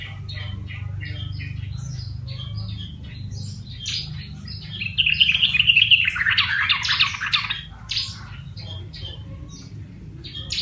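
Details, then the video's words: Yellow-vented bulbul, a wild bird caught by luring and tamed during a month in captivity, now singing: rapid scratchy chirps, then a louder, tumbling run of bright warbled notes midway, over a low steady hum. "Contoh Burung Trucukan (Jogjog) Liar Yang Dirawat 1bulan Udah Bersuara"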